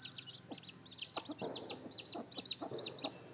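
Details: Seven newly hatched chicks beside their sitting hen; bright arched peeps repeated rapidly, mixed with lower soft clucking bursts and rustling at close range.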